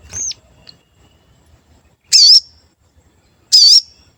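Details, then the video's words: Lure calls of a sooty-headed bulbul, meant to stir other birds to sing: a falling whistle, then two loud, wavering, buzzy notes about 1.4 seconds apart over quiet background. "Pancingan Sogon Agar Bunyi dan Emosi, Sogon Bahan Auto Nyaut"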